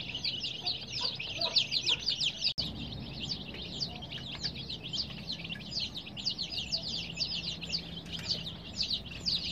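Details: Baby chicks, dyed in colours and kept warm under care, chirping: many high, thin peeps, each dropping sharply in pitch, overlapping in a dense nonstop chorus, with a brief sharp click partway through and faint low hum beneath.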